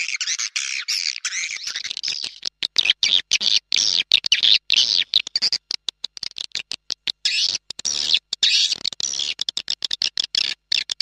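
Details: Swiftlet lure call used to draw birds in: rapid, high, scratchy chirping chatter, chopped into many short bursts with brief silent gaps throughout, steady and loud.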